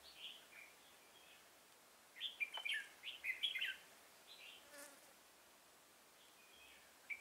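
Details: Red-whiskered bulbul used as a decoy for trapping an old wild bird, recorded 24 September 2018: short chirpy, warbling phrases in quick bursts, quiet with pauses between, no other clear sounds.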